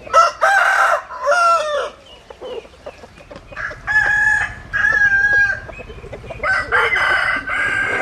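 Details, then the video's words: Several rooster crows follow one another closely, loud harmonic calls with held, gently falling final notes, some overlapping, with short clucks between. "Tiếng Gà Gáy Hay Nhất 2021"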